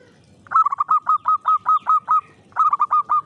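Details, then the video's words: Local zebra dove singing in the morning, caged and hung up: a rapid run of about ten bright, rolling cooing notes, a short pause, then another quicker run of five notes. "SUARA BURUNG PERKUTUT LOKAL DI KEREK PAGI HARI"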